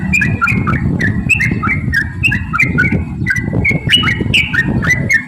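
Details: Yellow-vented bulbul in 'ropel' song, used to lure other bulbuls to sing. Chattering whistled notes rising and falling, partly masked by heavy low rumble.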